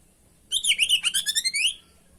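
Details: Kacer, the oriental magpie-robin, in busy song for tutoring captive birds: a single burst of about ten quick, rhythmic chirps that dip and climb, closing on a short rising whistled note.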